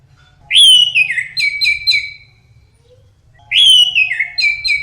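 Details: Teler-style song of an Orange-headed thrush, two rich phrases starting with a clear high whistle that slides down into rapid choppy notes, three seconds apart, light background hum.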